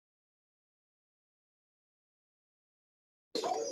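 Silence for over three seconds, then a brief burst of a human voice at the very end.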